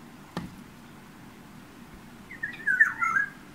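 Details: Oriole, a yellow bird perched outside a bedroom window, singing and at times tapping on the glass; a single sharp tap, then a short fluty, warbling whistled phrase with slurred notes over quiet room hum.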